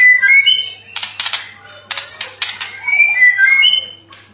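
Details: Melodious White-rumped shama tutor song: sliding whistled notes, then several harsh, scratchy rattling bursts, then a run of bright rising and falling whistles.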